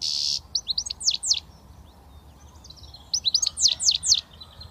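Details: Young goldfinch from Britain beginning to whistle: a buzzy note, then a string of sharp downslurred chirps, a pause, and a second similar burst of tinkling notes.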